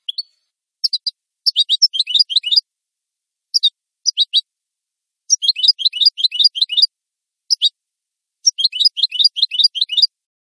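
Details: European goldfinch recorded cleanly for training captive birds: bursts of fast, high twittering notes separated by short pauses, with single sharp notes between bursts.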